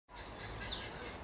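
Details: Blue-black grassquit singing: a single high, sharp note that starts very high and sweeps quickly downward in a buzzy slur, lasting about a third of a second, against quiet background hiss.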